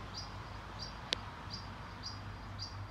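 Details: European pied flycatcher parent warning its nestlings in a nest box on nursing-home grounds in Sundsvall, Sweden, 20 June 2023; faint, short, thin high calls repeated about every half second, one sharp click, steady low hum beneath.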